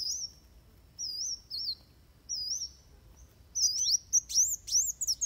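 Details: Van Hasselt's sunbird giving a fighting song, recorded as tutor material for training birds: thin, very high wavering whistles in short bursts, then quicker sharp rising notes near the end.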